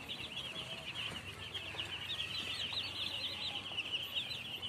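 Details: Baby chicks chirping nonstop, a bright band of fast, wavering high peeps from many birds at once.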